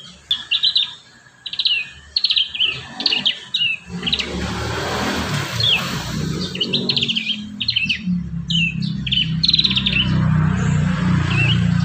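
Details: Prinia song for training young birds to sing: lively high chirping phrases that repeat, increasingly masked by a loud low rumbling noise from midway on.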